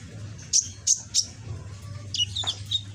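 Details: Young pet sunbird with red back and green plumage, learning song: three quick high chirps in a row, then a jumbled twittering phrase of sliding notes, over a constant low hum.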